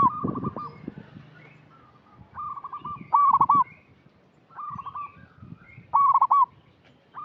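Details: Local zebra dove lure call for untrained birds: loud, trilling coo bursts near 3 and 6 seconds among softer strings of repeated coos, with low thumping noise at the start.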